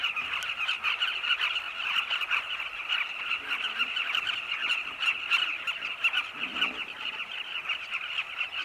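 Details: At sunset in Zambia, Carmine bee-eaters fly in flocks around cliff nests where chicks wait in long tunnels. A loud, unbroken colony chorus of many rolling calls, layered and constant, with brief sharper notes standing out.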